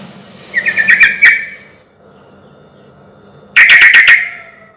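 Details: Sooty-headed bulbul heard as a lure for other bulbuls: a stuttering series of chirps leads into a rattle, then after a pause a loud, harsh chattering burst.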